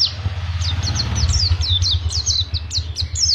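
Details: Pacitan, the Oriental white-eye, singing in ngriwik panjang style: repeated high descending slurred notes about twice a second over a loud steady low engine-like rumble.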